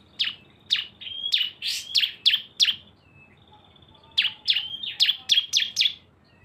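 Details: Two cisem birds combined in a lively lure recording: two rapid runs of sharp, high chirps linked by thin sustained whistles, with a quiet pause in the middle.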